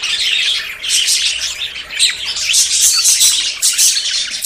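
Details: High bright twittering and squeaky warbles from budgerigars courting and close to breeding, many overlapping voices forming a continuous, lively chatter with short swells.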